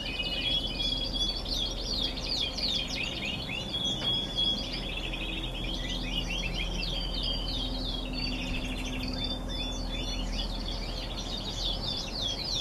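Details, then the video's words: Canaries in song during November, a dense chorus of fast rolling trills, sweeping chirps and sustained high whistles that continues without pause, with steady low rumbling noise underneath. "Canaries singing in november."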